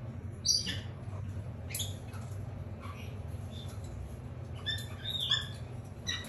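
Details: Hand-raised Red-shouldered macaw chick from a domestic breeder in Japan, asleep on its back; short squeaky, harmonic chirps at irregular intervals, some doubled, over a steady low hum.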